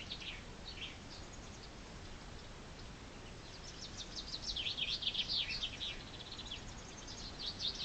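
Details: Chaffinch in spring delivering its song: a few scattered high chirps, then a loud, fast trill of sharp repeated notes for about one and a half seconds, trailing into softer high notes.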